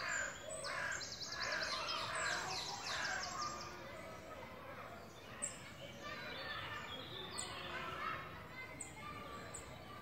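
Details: Eurasian nuthatch at La Poudrerie on 28 May 2018, young birds grown and ready to leave the nest; rapid series of high, thin, down-slurred notes early on, then scattered chirps, with people talking throughout.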